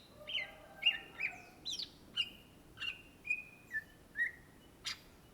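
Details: Indonesian cucak ijo, or greater green leafbird, in full energetic song. Clear whistled notes repeat about every half second, some with sharp chirped onsets, and the run ends with a click-like note.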